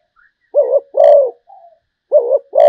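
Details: Zebra dove song: two phrases, each a brief bubbling coo followed by a longer, purring, slightly falling coo, with a soft low note in the pause.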